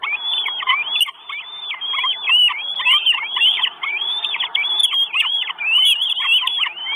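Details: Hungry Northern goshawk chicks, four of them, in their nest in Estonia on 1 June 2022, recorded by a live nest camera: loud, rapid, arching squeals, densely packed and repeated throughout.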